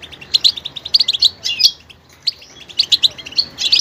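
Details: Goldfinch giving clusters of bright high chirps and twitters, a short pause, then more tinkling notes.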